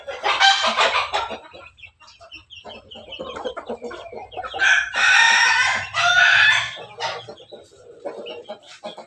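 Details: Crossbred Pelung chicken of Bangkok cross in a backyard: clucking and cackling bursts with two loud harsh crow-like calls in the middle, other fowl clucking softly around.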